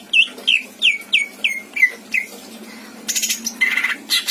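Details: Caged greater green leafbird in Indramayu singing its mimicked fill-in phrases: seven ringing down-slurred whistles about one every third of a second, followed by harsh rasping, buzzy bursts.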